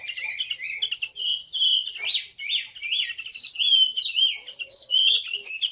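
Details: Female Chinese hwamei calling to encourage male song: continuous varied whistled phrases with rising and falling slurs, in pulses about every half second.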